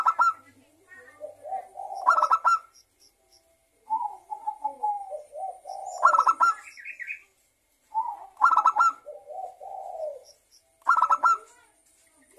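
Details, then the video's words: Vigorously singing local zebra dove, a lure song to get other doves singing: four quick stuttering bursts of pulsed notes, roughly every three seconds, each framed by lower rolling coos. "perkutut lokal gacor suara pancingan perkutut agar bunyi"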